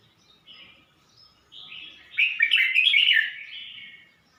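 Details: Caged red-whiskered bulbul, Suan Phueng, Ratchaburi province, Thailand, May 2020, singing a few weeks after changing hands: quiet introductory notes swell into one strong, jumbled, liquid warbled phrase that fades away.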